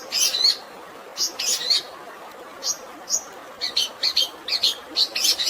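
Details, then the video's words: Long-tailed shrike singing a fighting song filled with sparrow phrases: bursts of sharp high chirps, some in quick doubled clusters, separated by short pauses over a steady hiss of natural running water. "CENDET ISIAN GREJA TARUNG DAN SUARA AIR ALAMI, UNTUK BURUNG STRES"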